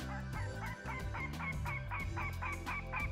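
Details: Adult Northern Goshawk alarm call played back during a morning nesting survey at Meyer Ranch Park, Colorado, in ponderosa pine and mixed conifer forest: harsh, nasal kek notes about three a second over a steady low drone; a goshawk then circles overhead.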